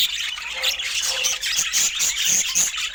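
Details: Feeding budgerigars chatter in a busy mix of high squeaks and buzzy squawks, with a few clear whistled notes rising above the chorus near the end.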